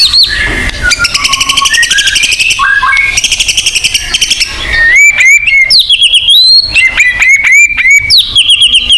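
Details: Selected white-rumped shama song aimed at reviving a caged bird's singing: long buzzy rattling trills, then crisp high whistles and sharp upslurs in quick succession.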